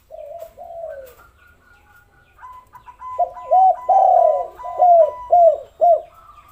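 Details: Spotted dove calling as a lure for lazy doves: soft opening coos, then a loud run of arched notes roughly twice a second over a faint higher tone.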